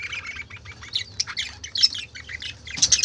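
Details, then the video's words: Noisy chatter of colorful budgerigars, a continuous jumble of bright warbled chirps and harsh squeaks, with a louder cluster of shrill squawks near the end. "কালারফুল পাখিদের চেঁচামেচি ৷ বাজিগর পাখির ডাক"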